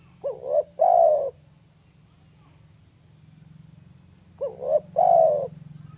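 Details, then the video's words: Spotted dove call for bird luring, two phrases about four seconds apart, each a quick doubled coo and a long purring coo, set against a steady low electrical-sounding hum. "SUARA AMPUH TEKUKUR PIKAT AUTO NGAMUEKK..!!!"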